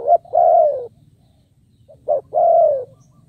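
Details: Decoy spotted dove calling to draw in wild birds: a short clipped note then a long, even coo gently falling at the end, given twice with a pause between.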